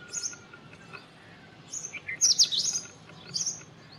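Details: Indian robin singing a short, bright warbling phrase of rapid high slurred notes, preceded and followed by a few softer chirps; a thin sustained whistle faintly behind.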